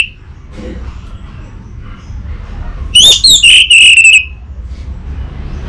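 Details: Untrained orange-headed thrush used as a lure bird: after quiet with faint background murmur, a single loud phrase of about a second, a rising slurred whistle followed by a few ringing evenly pitched notes.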